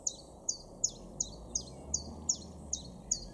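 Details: Common chiffchaff (Phylloscopus collybita) song in a garden in Weener, East Frisia, north-western Germany, April 2023: high, sharp notes repeated about every third of a second, steady and monotonous, over a faint low hum.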